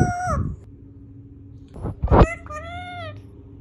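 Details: Talking parrot giving two clear tonal, voice-like utterances, the first short and falling, the second longer and level, separated by a thud and low background rumble.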